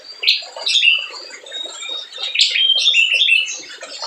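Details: Vigorously singing spiderhunter, a lure meant to provoke lazy birds into calling: bright, high squeaky chirps and short whistled slurs in quick, irregular bursts.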